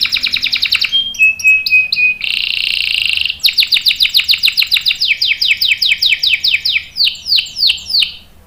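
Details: Canary in strong, long rolling song used to prompt other birds and train young ones: a fast trill, a few flat whistled notes, a buzzy roll, then a long series of descending sweeps that slows toward the end.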